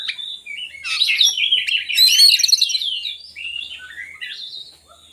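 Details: Song of an oriental magpie-robin meant to coax lazy birds into song: dense, fast medley of high chirps, trills and whistles, peaking mid-phrase, then fading to softer descending whistles.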